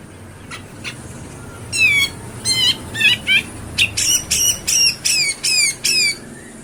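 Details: Grey-cheeked bulbul recorded in Bantul, Yogyakarta, Indonesia: a loud run of harsh, rapidly descending chattering phrases, about a dozen in quick succession, over a steady background hiss.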